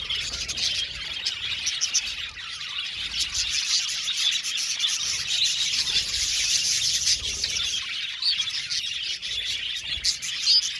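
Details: Large group of budgies in an aviary keeping up a long, even din of high chirps and rasping chatter, with a few sharp squeaks rising above the crowd toward the end.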